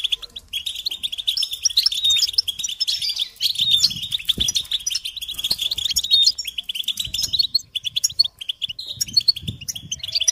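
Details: European goldfinch twittering song, a continuous bubbling chatter of rapid high notes and trills, accompanied by scattered low thumps and a brief rustle like wing flutters.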